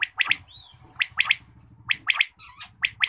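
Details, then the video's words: Morning quail call, a crisp three-syllable phrase repeated roughly every second, with a short rising-falling whistle from another bird and a steady low hum underneath. "batair ki awaz subha"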